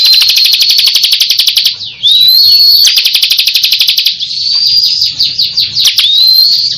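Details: Bar-winged prinia of the 'kristal' type in full, vigorous song, billed as a champion bird: rapid high buzzy trills of clicking notes about four per second, broken by thin rising whistled slides and sharp chips, continuous and loud.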